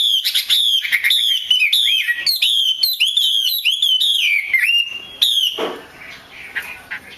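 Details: Female Chinese hwamei whose calls are used to excite males into singing. Rapid clipped notes with downward-curving inflections come in bursts, then break off into a short rougher noise and quiet.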